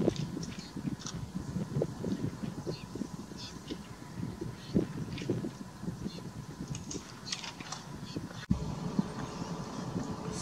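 Lesser flamingos in a flock keep up a steady, low, goose-like murmur of overlapping honks and grunts, with a few higher calls rising above it.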